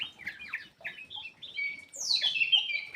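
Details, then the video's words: Black-crested bulbul song meant to set quiet birds singing: short jerky whistled notes, then a louder sweeping phrase that slides down from high, scratchy tones, over soft background noise. "PANCINGAN BURUNG MALAS BUNYI CUCAK EMAS \ KUTILANG EMAS GACOR"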